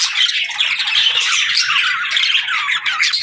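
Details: Budgerigar singing heard as a short burst of lively warbling, with rapid squeaks, buzzy twitters and thin whistles running together continuously.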